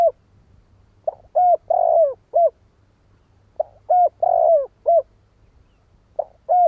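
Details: Coo phrases of a spotted dove used as a decoy to make rival doves call, repeated roughly every two and a half seconds, each a quick pickup, short coo, long falling coo and clipped ending, over a low electrical hum.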